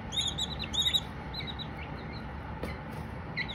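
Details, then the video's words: Baby Silkie chicks peep in two loud clusters of high, curved chirps during the first second, then fainter scattered peeps over a low hum. "Baby Silkies singing, no talking just chirps"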